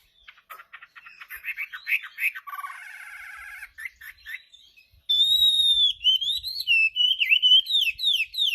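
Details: Chinese hwamei song opening with scratchy notes and a buzzy rattling stretch, then bright loud whistled phrases rising and falling, turning to quick rolling slurs.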